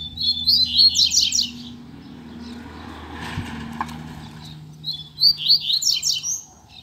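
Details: Caged male Double-collared Seedeater singing once his female has arrived: two quick bursts of bright, rapid twittering notes and upward slurs, separated by a lull filled with a faint low hum and a soft knock.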